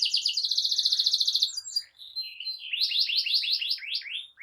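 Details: Singing canary meant to get other canaries going: a rapid buzzing trill for about a second and a half, a short pause of scattered notes, then a run of repeated sweeping chirps.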